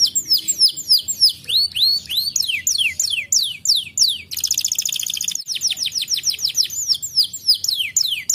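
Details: Canary song used to encourage lazy canaries to sing: varied high whistled sweeps, mostly descending, several per second, broken by a loud fast rattling trill, then more quick falling notes; faint low hum underneath.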